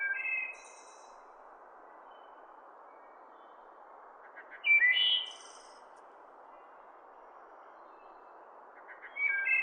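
Wood thrush phrases come about every four seconds: liquid flute-like notes ending in a high, airy trill. A steady low rush runs beneath them.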